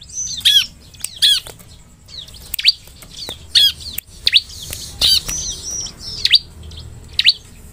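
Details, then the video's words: Bar-winged prinia (ciblek) song as a lure for other ciblek: clusters of loud, ringing, descending chirps early on, then spaced single sharp notes and soft high twitters against a quiet background. "SUARA CIBLEK, pancingan ciblek semi agar bunyi!"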